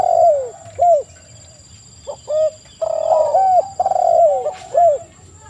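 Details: Spotted dove song: low hooting coos, some with a short rising lead-in note and others long, slurred and falling, in uneven bursts. Several coos overlap, with a faint steady high electronic tone behind.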